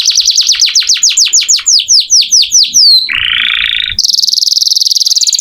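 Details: Canary in lively full song, offered as master tutor audio for oriental magpie-robins: a run of about a dozen quick descending whistled sweeps, then a buzzy rattling trill, then a rapid high even trill.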